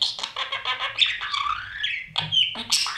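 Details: Nest box of breeding budgerigars, chicks eating as parents feed them: a fast train of rasping pulses, then a long wavering squeal and sharp squawks.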